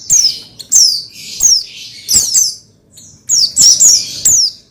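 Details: Oriental white-eye (pleci), used as material to rouse another pleci into song: a run of loud, high, down-slurred notes in two bursts separated by a brief pause, with quieter buzzy notes between.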